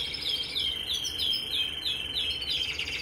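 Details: Canary of the red mosaic variety in song, giving a quick run of repeated downslurred whistled notes, about three per second, over rapid buzzy trilling.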